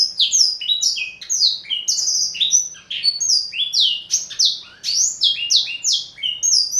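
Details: Male black-throated canary, a four-year-old Somerini x Botswana cross kept as a seed- and vegetable-eating pet, singing a fast, unbroken run of bright whistled and trilled notes, many sliding downward, in rapid varied phrases with no other sounds.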